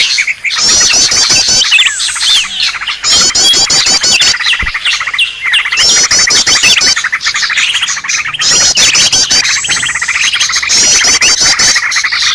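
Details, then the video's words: Noisy Green leafbird calling used to lure birds: loud bursts of rapid twittering, squeaky and trilled notes crowding together, returning every few seconds between short quieter gaps. "suara burung ribut"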